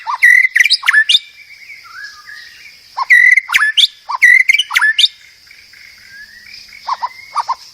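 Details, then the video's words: White-rumped shama song: repeated short phrases of a low note, a bright whistle and rising sweeps, delivered in bursts with gaps, softer whistles drifting between phrases. "Kicau Burung Murai Batu masteran"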